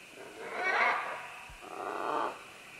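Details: Several green-winged macaws descend along vines, giving two harsh, raspy squawks about a second apart. The first is louder and the second softer, over a steady low hum.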